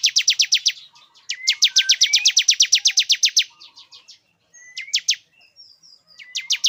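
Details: A male bar-winged prinia calling a female into breeding condition: bursts of fast, sharp, high ticking notes alternating with gaps, short rising whistles and thin high chirps scattered between the bursts.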